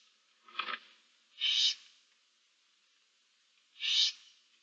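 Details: From a nest box holding seven barn owl owlets, March 2024: a faint rasp, then two stronger breathy hisses a couple of seconds apart against a quiet background.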